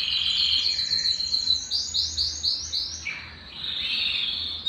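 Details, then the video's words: Belgian canary singing to stimulate males and bring females into breeding condition: high trills give way to a series of rapid sweeping notes, then a dip and a sustained bright rolling trill. "Canto Para Esquentar Canário Belga e Foguear as Fêmeas"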